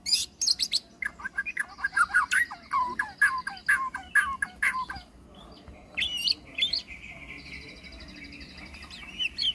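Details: White-rumped shama giving a lively run of varied whistled and chirping notes, quickly repeated, followed by softer high sweeping phrases after a short lull.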